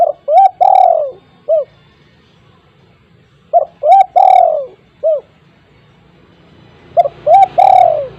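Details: Spotted dove with a loud, big voice, used as a lure: phrases of short hooted notes rising to a long drawn-out falling coo, then a single short coo, repeated about every three seconds.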